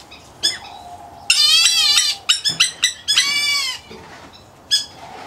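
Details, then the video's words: Aviary White-headed Black Bulbul chick of the Indian-area subspecies giving long grating rasps mixed with a quick run of short clicking notes. "White Head Black Bulbul Chick"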